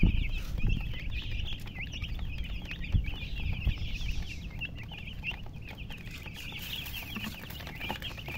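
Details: Chickens chirping: a dense, continuous chorus of short high peeping notes tumbling over one another throughout, with low rumbling handling and background noise underneath and a few louder thumps.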